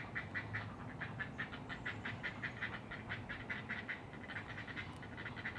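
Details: Great blue heron at its nest, 100 ft up in loblolly pines, in a rookery on Maryland's Eastern Shore, Chesapeake Bay, early morning 20 June 2018: a fast run of dry clacking notes over low wind rumble.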